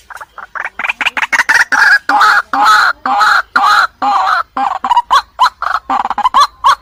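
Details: White-breasted waterhen calling: a fast, harsh run of loud croaking, clucking notes, about two per second, getting shorter and more clipped toward the end.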